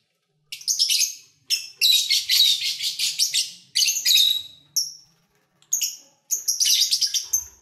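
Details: Several pet lovebirds singing and playing: repeated bursts of shrill, grating chatter, some over a second long, broken by short bright chirps and brief pauses, busy and irregular throughout.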